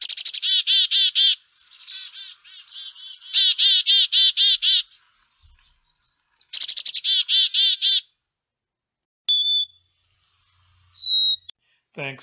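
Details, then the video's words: Black-capped Chickadee giving three runs of harsh, buzzy 'dee-dee-dee' notes, then two brief, clear, high whistles. "Sounds of a Black-Capped Chickadee"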